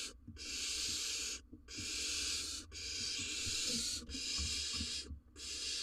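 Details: Barn owls at an Israeli nest box in breeding season, male bringing a rodent to the chick: loud rasping hisses of about one second each, separated by short pauses, with soft scratching in between.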